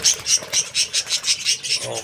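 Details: Small kept colony of parakeets, 14 January 2025: sharp, high chirps repeated in a steady rhythm, about four each second, with little else audible.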